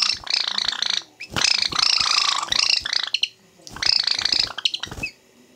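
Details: Two pet Java sparrows fighting after being let out of their cages, 21 March 2017: harsh, buzzy, rapid chattering in three loud bursts of about one second each, separated by short pauses, with clicks between.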